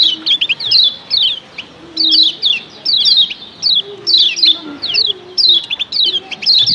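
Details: Combined calls of a female and a male kecial kuning meant to get all kecial calling: sharp, steeply falling high chirps delivered in quick groups of three or four, repeating steadily, with low hums underneath.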